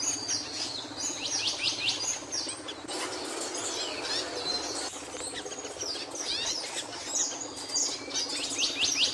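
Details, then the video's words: A capuchino seedeater's song of repeated high, slurred chips in bursts, separated by brief pauses and mixed twitters, against constant noisy background. "CAPUCHINO CANTANDO"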